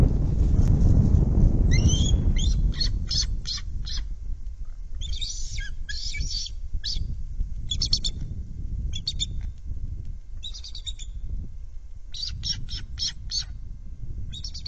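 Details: Bald eagle at a live-cam nest at 09:11 with prey, leaving some for another eagle. It gives bursts of high, sharp, staccato chittering notes, about six bursts over fifteen seconds, over a steady low rumble of wind.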